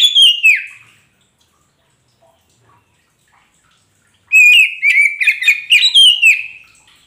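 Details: Kacer poci (magpie robin) song used as a lure to get a silent bird to answer: a loud slurred falling whistle, a pause of about three seconds, then a rapid run of bright, varied whistled notes.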